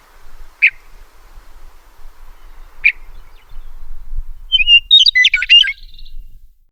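A meadowlark gives two sharp, isolated call notes, then a quick jumbled burst of bright whistled and gurgling phrases; faint low rumble underneath.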